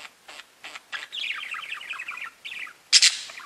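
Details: Pet budgies chatter in a rapid, twittering warble of high, tumbling notes after a few opening clicks, ending with a loud, harsh screech.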